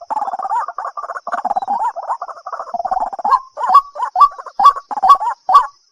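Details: White-breasted waterhen in March, opening with a fast, gurgling, chattering burble that breaks into separate, louder, hoarse honking notes repeated at a steady pace, more than two per second; no other sounds.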